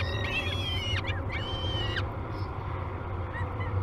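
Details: Nest-cam recording of peregrine falcon chicks at feeding time, Great Spirit Bluff, 22 May 2020: two long, harsh wailing screams in the first two seconds, then near quiet with faint chirps, over a low steady drone.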